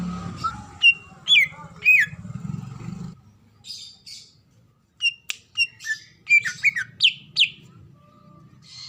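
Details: Female greater green leafbird calling to a male, a sound used to lure others into calling: scattered sharp whistled notes and short chirps, some falling in pitch, separated by pauses over a low droning hum.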